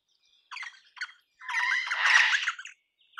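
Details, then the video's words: Crimson rosella, a parrot of eastern and south eastern Australia, giving two short harsh notes then a long, loud, dense burst of raspy chattering squawks lasting over a second. "Crimson Rosella Call. Crimson Rosella Sounds. Crimson Rosella Song. Crimson Rosella Noise."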